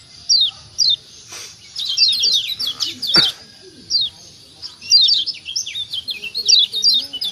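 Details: Lombok white-eye, kecial kuning, used to prompt other birds to call: bright descending chirps in bursts, interrupted by a sharp click midway.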